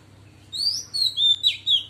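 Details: A female Oriental magpie-robin gives a short wild-voice phrase aimed at stirring males: a clear rising whistle, then three or four slurred, descending whistled notes in quick succession over a low hum.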